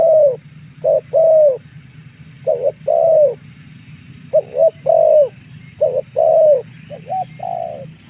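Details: Spotted dove calling as a lure for wild doves to fight: soft, deep coo phrases, brief notes leading into a drawn-out falling coo, repeated irregularly; faint high whistles from other birds and steady low background hum.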